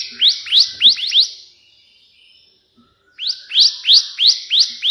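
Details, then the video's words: Energetic song of a bar-winged prinia, 'tembakan' burst version like the white prinia, for training other birds: two volleys of shrill, rising chip notes in quick succession, split by a brief quiet gap. "burung ciblek gacor versi tembakan perenjak putih"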